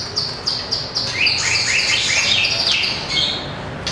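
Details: White-rumped shama, small with a long tail, singing competitively while tail-flicking on its perch: rapid, high, thin repeated notes and short chips, about three per second, over steady background hiss.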